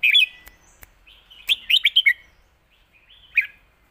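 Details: Red-whiskered bulbul delivering a 'master song' phrase: a loud opening warble, then a rapid run of four or five bright, ringing whistled notes and a single closing chirp, in a quiet background.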